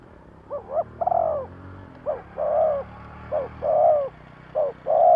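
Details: Spotted dove cooing in thúc gù style to lure wild doves: repeated pairs of a brief rising note and a longer falling coo over a steady low rumble.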